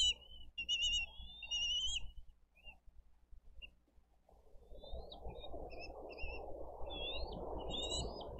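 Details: Bald eagle nest in Dade County, 22 April 2023, parents feeding eaglets with freshly brought fish: high whistled and chittering notes at first, then a lull, then scattered thin whistles over a rising wash of rustling noise.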